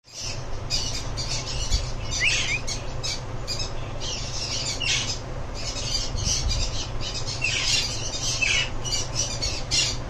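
Sun conures giving harsh, scratchy squawks in quick bursts over a steady low rumble.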